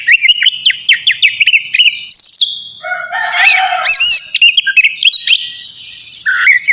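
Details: Oriental magpie-robin of the navy variety singing before a bath: rapid repeated upslurred whistles, then longer sweet phrases, with a lower rooster-like crow briefly audible in the middle.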